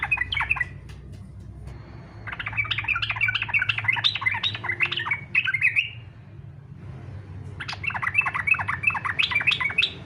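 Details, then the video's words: Yellow-vented bulbul delivering fighter-style song, used as a lure to prompt other bulbuls to sing: three long, energetic bursts of fast, bubbling, chattering notes, separated by short pauses. "SUARA trucukan faghter cocok buat pancingan supaya trucuk ikut faghter"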